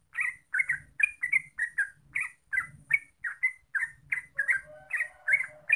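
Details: Yellow-vented bulbul pouring out bubbly, warbling notes in a brisk series, with low rumbling noise underneath and a faint hum near the end.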